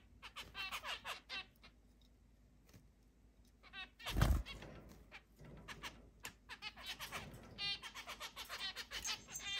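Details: Zebra finches, a flock of eight housed in a large cage indoors, recorded 10 July 2022: clusters of brief, buzzy, nasal beeps in quick runs, with a loud knock partway through and quiet gaps between bursts.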